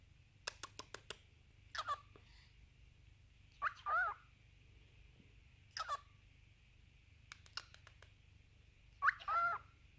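A cockatiel gives short, buzzy, speech-like phrases between bursts of sharp clicking.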